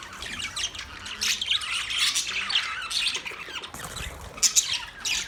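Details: Pet budgerigar's continuous warbling chatter of raspy, high twitters and squeaks, fairly even in loudness, with a pair of sharper chirps late in the clip.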